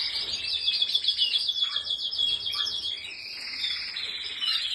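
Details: Canary singing a fast, continuous trilled song of rapid pulsed notes, high and bright, with short lower dipping notes breaking in around the middle and a smoother warbled stretch near the end.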